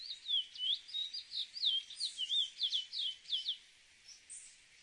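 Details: Cacahuero, the chestnut-bellied seed finch, in a rapid run of sweet slurred whistles, many notes dipping and rising, delivered nearly three per second for about four seconds before a pause.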